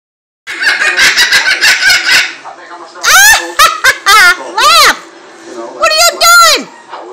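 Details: A cockatoo gives an "evil laugh": a burst of harsh, rapid cackling, then several loud rising-and-falling squawks and warbled laugh-like notes, in a small room.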